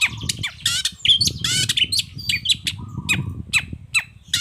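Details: Long-tailed shrike song played to draw answers from other shrikes: harsh grating squawks mixed with sharp chips and brief level whistles, over noticeable low background hum.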